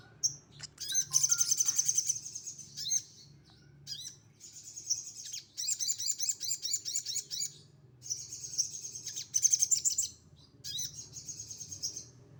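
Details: Sogon, bulak variety, delivering a 'tembakan kasar' rough-shot song: loud, high-pitched rattling trills alternating with single sharp chirps, bursts lasting one to two seconds, over a faint low background hum.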